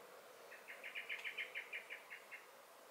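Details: Alarm call of a common blackbird in a garden, 23 May 2021: about twelve rapid, evenly spaced hard chacking notes, swelling then fading, with a faint tick near the middle and quiet hiss.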